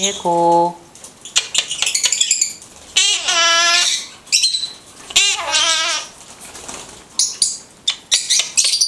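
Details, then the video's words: Pet blue-headed conure talking indoors, giving a string of short voiced, word-like syllables with wavering pitch, separated by brief pauses and mixed with scratchy squeaks and chatter. "blue headed conure talking"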